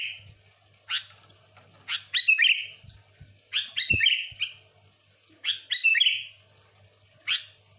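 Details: Sooty-headed bulbul song for luring wild bulbuls: repeated bubbly phrases roughly every one and a half seconds, each a sharp rising note then a warbled, sustained whistle, with faint clicks between.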